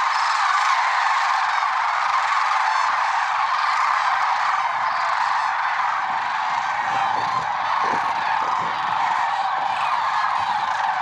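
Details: A great gathering of lesser sandhill cranes at Merced National Wildlife Refuge at dawn, February 6, 2023. A constant dense chorus with overlapping rolling calls, loudest in the first seconds, plus some low rumbling later.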